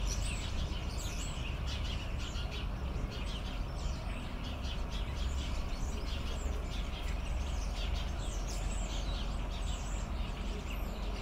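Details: Hundreds of sparrows crowding a large tree behind houses in a garden, as happens twice each year, giving a dense, continuous chorus of sharp, high chirps, partly masked by heavy low background rumble.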